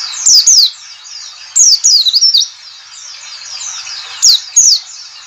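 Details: White-eye call in the 'ngalas' style, played to lure white-eyes into singing: clusters of two to five piercing, high, downward-sweeping notes, separated by a steady wash of many similar faint chirps behind.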